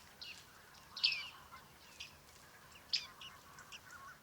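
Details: Panurus biarmicus recorded at Liepāja, Latvia, July 2023: two clear descending pinging calls a couple of seconds apart, with softer high notes scattered between them.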